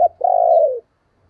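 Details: Decoy spotted dove calling: one short low note, then a single long, steady, mellow coo held for about half a second and fading at the end. The background is quiet.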